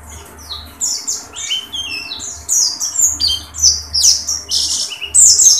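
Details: Dakun song of an Oriental white-eye singing open-beaked: scratchy, high-pitched twitters and sharp rising and falling chirps, growing louder toward the end, with a low background hum.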